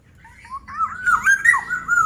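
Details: Black-naped oriole singing, a series of clear fluty whistles that rise and bend between low and mid pitch, growing louder and more continuous toward the end, with faint room noise beneath.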